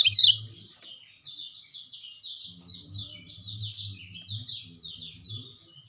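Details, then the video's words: White-eye (kecial kuning) master song for bird trapping: a long run of high, quickly repeated downslurred whistles, evenly paced, with a constant thin electronic tone and soft low rumbling beneath. "masteran terbaik burung kecialkuning"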